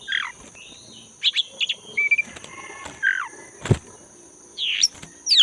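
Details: Oriental magpie-robin of the black-breasted form in natural forest, singing actively; short whistled and falling notes come in small groups, with a sharp loud click midway and a continuous high buzzing hum underneath.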